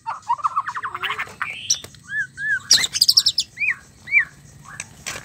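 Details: White-rumped shama mating sound, used to rouse a male into singing: a varied run of rich whistles, a fast buzzy trill, then clear slurred notes rising and falling, with sharp chips between phrases and a faint low hum behind.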